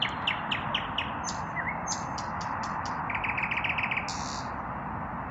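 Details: Evening song of a lone male common nightingale seeking a mate: quick descending strokes, sustained high whistles, then a rapid even rattling trill and a final buzzy note, all over a loud steady background hiss.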